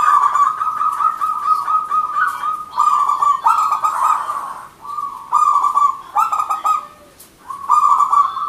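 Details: Continuous zebra dove song from a local wild bird: repeated phrases of rapid stuttering coos and rolling trills at an even pitch, almost without pause, with faint higher background chirps.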